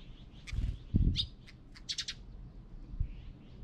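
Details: Wild birds chirping at a bird feeder in Korea after a rain storm, one bird feeding another; short high chirps in scattered bursts, a quick run of notes near two seconds, with low thumps and bumps underneath.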